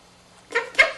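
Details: Pet Quaker parrot, a male monk parakeet, practising learned words: two quick breathy, kiss-like bursts about a quarter second apart.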